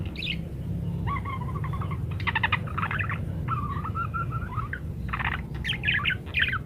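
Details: Parakeet in varied, energetic song, recorded as a training master for munias: wavering warbled phrases alternate with scratchy rattling bursts and sharp high chirps near the end, set against a constant low rumbling background.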